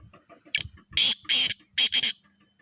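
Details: Pure Charngi strain black francolin (kala teetar) giving its call up close: a loud phrase of four to five coarse, rasping notes, paired and evenly spaced, with soft chirps before it.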